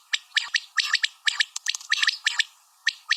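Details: Common quail female sounds, quick harsh chirping notes in close-packed bursts, rattling and broadband, fading into a short quiet stretch before resuming.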